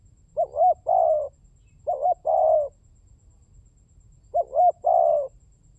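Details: Lure recording of a spotted dove: three phrases of two quick looping notes plus one long burry coo, the last phrase after a longer gap; steady low hum underneath.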